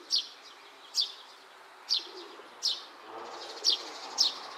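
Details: Juvenile Oriental greenfinch in grassy cover, searching for food around midday on 31 May 2023; six short, sharp, high chirps spaced roughly one second apart, with faint background hiss and no other clear sounds.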